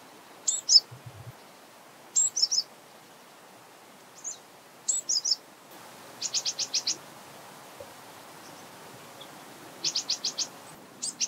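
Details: Japanese Tit calling at close range: sharp high paired notes at first, then quick runs of four or five evenly spaced piping pulses, repeated twice.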